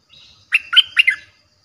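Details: Streak-eared bulbul giving a fierce-sounding song used as a lure for wild birds: a short burst of four bubbly, slurred notes lasting under a second, with a faint thin whistle beforehand.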